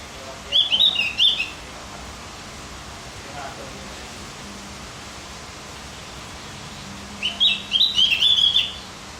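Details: Song of the Javan grey-throated white-eye used to rouse other birds: a chattering high phrase at the start, a long quiet gap, then a second tumbling twitter near the end.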